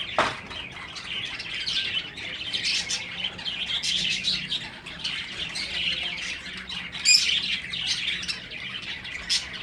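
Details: A lively chorus of breeding finches: high twittering chirps and short squawky notes from several birds, continuous throughout, one sharp loud note near the end.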